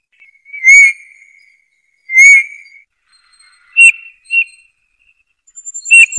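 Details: Eurasian bullfinch song of clear, slightly rising whistled notes, two longer piped tones followed by shorter, higher whistles, with quiet pauses between phrases.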